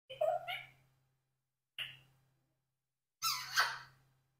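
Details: A 4-year-old pet Congo African grey parrot tries to say "cockroach" without the R, speaking in three short squeaky, voice-like bursts with a rising, wordlike phrase at the end; a low steady hum underlies it.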